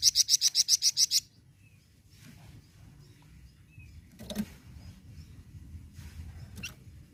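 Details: Flamboyan bird singing to prompt kept birds to answer: a quick run of about eight high, sharp repeated notes in the first second, then low rumbling background with a few faint distant clicks.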